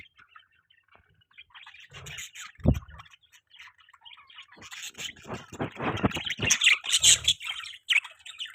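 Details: Budgerigar chattering: a few soft chirps, then from midway a dense run of scratchy, warbling twitters that grows louder toward the end, with a dull low thump near the start.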